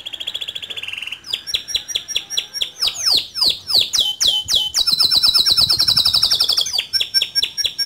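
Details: Male canary in vigorous song: a soft rolling trill, a series of sharp descending chips, swooping notes, then a long loud high rapid roll and more chirps.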